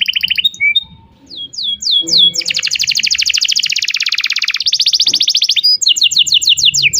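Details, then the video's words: Canary singing continuously as a lure for young canaries learning to sing: falling whistled slurs lead into a long, fast buzzy trill, then more quick downward notes, with faint low background sounds. "kenari gacor panjang Cuit Cuit EMOSI, Pancingan Kenari Paud Belajar Bunyi"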